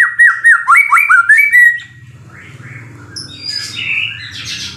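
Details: White-rumped shama giving a fast string of slurred, bouncing whistles for about two seconds, then quieter high chirps over a low steady hum.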